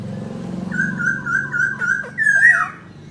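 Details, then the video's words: Laughingthrush in its dancing song holds a steady, slightly wavering whistled note, then a brighter rising-and-falling phrase, with a low background hum. "Khướu Muá Hót"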